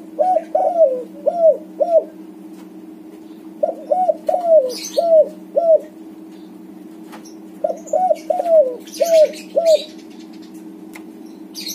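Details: White backspot spotted dove singing to prompt silent doves into cooing: three bursts of low, rounded coos, each four to five notes, separated by pauses of about two seconds, with faint higher chirps in the background.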